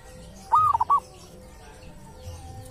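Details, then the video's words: One clear phrase from a local wild zebra dove at a sacred tomb, said to sound distinctive: a smooth arched coo that breaks into three short rapid coos, then near silence with faint low rumble. "perkutut lokal dari MAKAM KERAMAT ‼️punya suara cirihas tersendiri"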